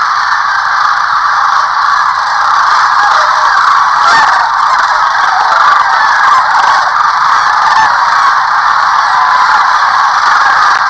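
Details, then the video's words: Sandhill cranes on spring migration at Rowe Sanctuary along the Platte River, Nebraska, taking off and landing; a dense, continuous roar of overlapping rattling calls from a large flock, steady throughout. "Взлетели- крылья размяли и посадка"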